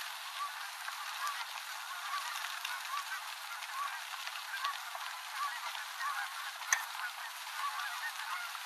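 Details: Canada geese gathering at day's end on the Rogue River, Oregon, spiralling down for flapping landings; a flock keeps up overlapping nasal honks throughout, with one sharp knock near the end, recorded from a bicycle on a dirt road.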